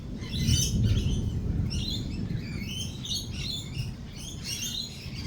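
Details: Amid rolling thunder, lorikeets keep up rapid, scratchy chattering calls that overlap continuously, heard over a heavy, deep rumble that dominates the low end.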